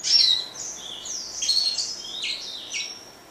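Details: Grey singing finch singing softly: a thin, high, flowing warble of smooth gliding notes, fading somewhat toward the end.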